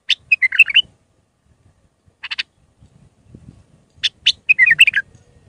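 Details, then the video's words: Tutoring song for young bulbuls from an Iraqi bulbul in refined Mandalawi style: bubbling warbled phrases at the start and end, separated by a triple chirp, over faint low rumbling. "تغريد بلبل عراقي خام مندلاوي راقي ساعة كاملة التعليم افراخ البلابل"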